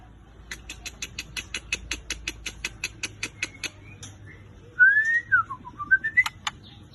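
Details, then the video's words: White-rumped shama giving a steady run of dry ticking clicks about four per second, then a burst of sweet, looping whistled notes mixed with sharp clicks. "MURAI BATU"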